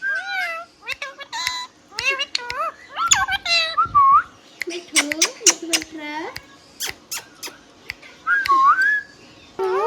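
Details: Tame pet green ringneck parakeet indoors mixing mimicked speech syllables with clear upslurred whistles and crisp clicking bursts, phrases coming in quick uneven bunches.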